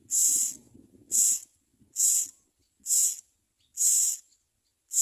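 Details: Common myna chicks at the nest calling to their mother: harsh, hissing screeches in bursts about once a second, each lasting roughly half a second, with quiet gaps between.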